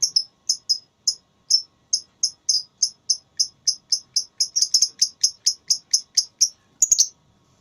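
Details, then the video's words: Lovebird in a singing contest: a steady run of short, shrill, high chirps repeated about three times a second for seven seconds, closing with a brief harsher burst. "Lovebird Tarung Suara"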